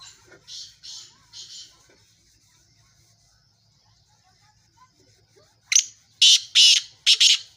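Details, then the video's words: Black francolin calling: faint hissing notes at first, a quiet gap, then a loud series of harsh, grating, high bursts delivered in quick succession near the end. "Kala teetar ki awaaz"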